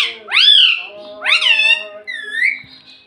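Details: Parrot that talks, saying mummy and papa. Two strong rising-then-falling harmonic syllables are followed by a softer, flatter whistled note, indoors with low background hum.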